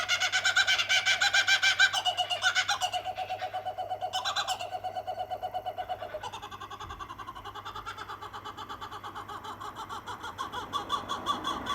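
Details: Two kookaburras calling at night on a street in Sawtell: rapid, harsh, chattering notes repeated about four times a second in a steady cackling run, with pitch shifts and brief louder bursts partway through and a low steady hum beneath.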